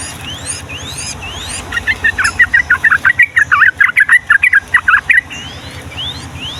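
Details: Yellow-vented bulbul singing a long 'ropel' song meant to tutor young birds: a burst of around twenty fast chattering notes in the middle, framed by high upslurred whistles from another bird and steady low background hum.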